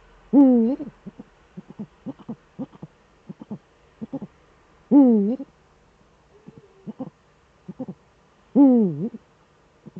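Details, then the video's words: Eurasian eagle-owl duet in the Eifel, male at the nest, 13 December 2013 at 17:25: three loud, drawn-out harmonic calls that dip then swing upward, about four seconds apart, separated by short clipped notes in pairs and triplets. "Uhu-Duett, Männchen am Horst"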